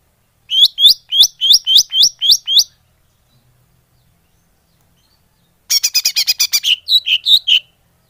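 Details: Greater green leafbird call played as a bird lure: a run of eight upswept whistled chirps, then after a pause a quick harsh rattle followed by several twisting whistled notes.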